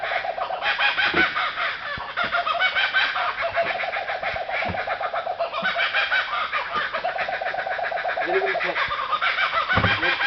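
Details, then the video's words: Kookaburras all around a campsite at Alexandra Bridge, Western Australia, in a raucous laughing chorus: loud rolling cackles and chuckles rising and falling without pause, with human voices and laughter underneath. "The Sound of Kookaburras"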